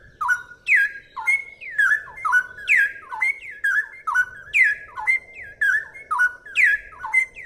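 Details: Straw-headed bulbul pouring out a continuous, fast 'ropel' song of liquid whistles, each phrase swooping down then jumping up, repeated steadily for over seven seconds; a soft low hum underneath. Described as clear and used as a tutor recording.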